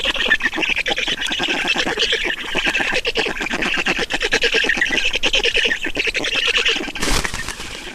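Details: Black storks feeding at the nest in Estonia: steady, fast rasping squawks over eight seconds, broken near the end by a short loud burst of noise.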